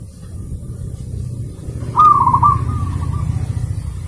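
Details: Zebra dove recorded as a master for training caged birds: after a quiet start, one loud rolling, pulsed coo phrase fades into a softer trailing note over a low steady drone.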